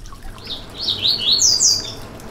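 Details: Yellow-bellied seedeater (coleiro baiano) song, played to warm up and stimulate a kept bird to sing: a run of high, sweet, slurred whistled notes that rise in pitch and grow louder over two seconds.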